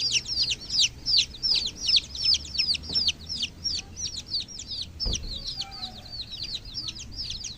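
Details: Rapid shrill peeping from chicken chicks: bright downward-sliding notes repeated about three times a second in pulsing bursts, with one soft knock midway.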